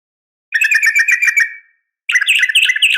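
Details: Sharp fighting call of a female Sooty-headed bulbul calling a male, used to provoke bulbuls into replying: a quick rattling run of harsh notes fading out, then after a pause another dense, scratchy chatter begins.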